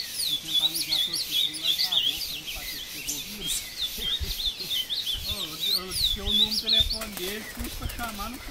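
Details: Captive male ultramarine grosbeak taken into the bush at Passos, Minas Gerais, singing and fighting with a free wild bird: rapid, high, warbled phrases of slurred whistles, the wild bird answering; a man speaks low in the background.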